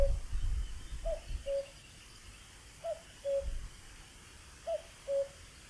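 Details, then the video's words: Common cuckoo gives its two-note cu-coo, a higher note dropping to a lower one, three times at an even pace over low rumbling wind. "Cuckoo calling"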